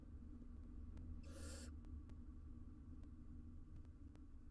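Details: Wild barn owl owlet on a live nest cam, struggling to eat a large jird it has caught. It gives one harsh, breathy hiss lasting about half a second over a low background hum, with faint clicks.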